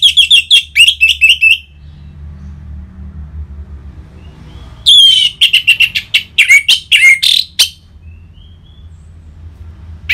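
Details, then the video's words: Ngeplong song of an orange-headed thrush, played to stir caged birds into singing: a rapid run of high, chattering whistles, a quiet gap of about three seconds, then a longer burst of varied sharp notes. "ANIS MERAH Ngeplong Mantap Pancingan Burung Langsung Nyaut Gacor"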